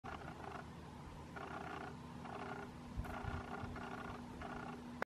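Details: A tapaculo recorded on Isla de Yaquil, Santa Cruz gives short, low, nasal churring phrases, repeated roughly once a second, over a steady background hum.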